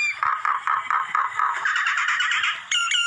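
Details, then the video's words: Common myna making harsh, nasal, croaking notes, repeated rapidly several times a second. The notes run together into a grating chatter, and two higher squeaky whistles come near the end. "Tiếng chim sáo nâu môi"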